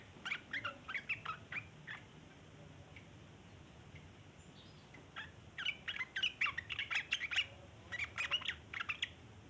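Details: Sooty-headed bulbul giving a long chattering song: bursts of rapid, scratchy chattering notes, a loose run early on, a pause, then a denser, louder burst near the end over a steady low background hiss.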